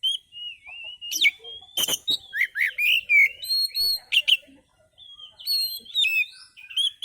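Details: Oriental magpie-robin singing a relaxed lure song: a long warbling whistle opening into rapid sharp clicks, upslurred chirps and thin high whistles, nearly continuous.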